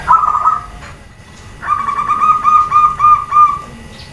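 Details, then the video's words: Zebra dove female calling to set males and other doves answering: a short soft trill, a pause, then a longer rapid run of evenly pulsed, mellow cooing notes lasting about two seconds. "SUARA PERKUTUT BETINA, BIKIN PEJANTAN DAN OMBYOKAN SALING SAUT"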